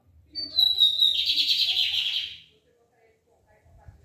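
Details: Lined seedeater giving its barbado-style song: a high thin whistle sliding down into a rich buzzy rattle of about two seconds, then quiet.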